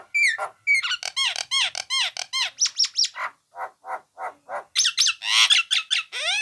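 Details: Nias hill myna recorded for training songbirds, delivering a dense rapid chain of arched whistled and squawky notes, nearly continuous, with brief pauses and a burst of loud harsh calls near the end.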